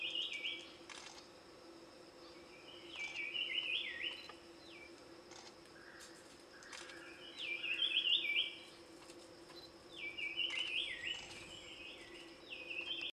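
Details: Large scimitar babbler: loud, rapid, bubbling chattering phrases come in bursts about every three to four seconds, with a steady low hum and faint insect ticking in the background.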